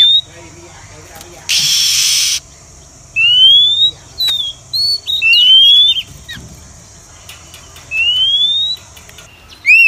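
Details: Oriental magpie-robin, female call played to lure wild birds into a trap. Clean rising whistles, each sweeping upward over roughly half a second, separated by pauses, with one brief burst of rustling noise early on.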